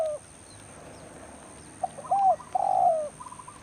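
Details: Spotted dove calling during a rainy-season trapping session: a quick clipped note, an arched coo and a long, slightly falling croo, followed by faint stuttering notes.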